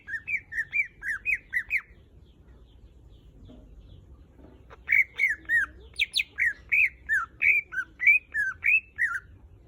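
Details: Greater green leafbird, a caged songbird kept to lure others into singing, delivers loud, varied whistled and squawky phrases in two bursts, with a quiet pause between them.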